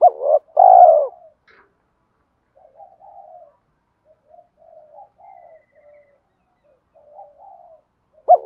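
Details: Spotted dove giving a fighting coo for luring wild birds during trapping: one loud two-part coo opening the recording, then several seconds of faint, quiet murmuring notes, and the start of another coo at the end.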